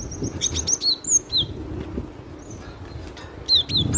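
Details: Cinereous tit singing loudly: high, piercing whistled notes, some descending in pitch, delivered in uneven quick runs with gaps between, over a constant low background hum.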